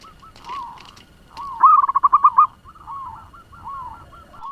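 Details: Local zebra dove used as a lure, fast-singing to agitate other doves: soft coos lead into a loud run of quick, even notes, followed by quieter repeated cooing and faint clicks.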